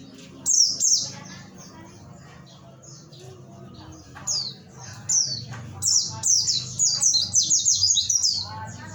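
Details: Oriental white-eye from Pacitan, Indonesia, singing in the 'nembak materi' style: bursts of very high, sharp chirps and quick downslurred twitters that come in clusters and grow denser toward the end, over a low background hum.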